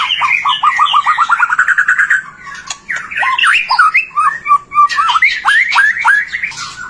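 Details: White-rumped shama song used to stimulate other shamas to sing: a fast run of repeated rising notes for two seconds, then loud varied whistles, slurs and harsh notes.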